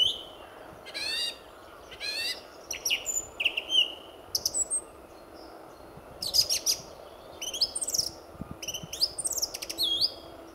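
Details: Male song thrush in full early-morning song at RSPB Fowlmere, February 2014, among many territorial thrushes; sweeping whistles and rattling trills mixed with short sharp notes, delivered in varied bursts separated by brief pauses.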